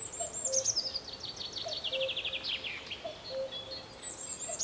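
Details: Common cuckoo in a riparian forest in May, recorded on a camera, giving its low two-note cu-coo about every one and a half seconds, falling from the first note to the second. A high, descending trilled song from another bird is heard throughout.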